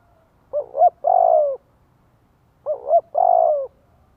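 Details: Cooing spotted dove kept as a lure to make wild doves call back: two phrases about two and a half seconds apart, each a quick double note then a sustained, slightly falling coo.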